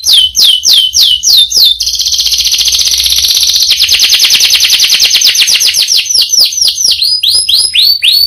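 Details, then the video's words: Canary song with a long roll: a few separate falling whistled notes, then a dense rapid trill held for several seconds, easing back into spaced, downward-sliding notes. "Burung Kenari Gacor Roll Panjang Isian Mewah"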